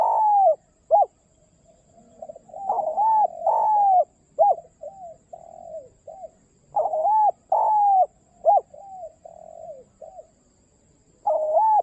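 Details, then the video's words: Repeated cooing phrases from a spotted dove calling its companion. Strong drawn-out coos alternate with short sharp notes and softer linking coos, and the pattern recurs several times with brief pauses between phrases. "suara mersik burung tekukur memanggil temannya"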